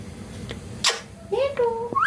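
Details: A talking parrot in an indoor room: a sharp burst, then a smooth rising whistle that levels off, then another brief upward whistle, over a faint low hum.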